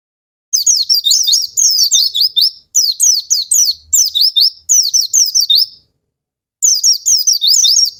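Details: Lure song of an Oriental white-eye for stirring lazy or stuck birds to sing: rhythmic phrases of shrill, fast-slurred twittering, separated by brief pauses, with a longer silence before the last phrase.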